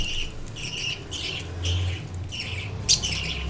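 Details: Newly fledged budgerigar chick, out of the nest box a couple of days, playing with its parents indoors: raspy, hissing bursts repeated roughly every half second over a low steady hum, with one sharper squeak near the end.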